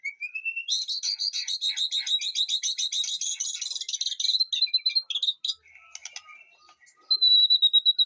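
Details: White-rumped shama kept in a backyard garden aviary, singing: a rising whistle opens into a fast, steady run of repeated chattering notes for about four seconds, then varied short phrases and a closing series of bright, repeated high whistles.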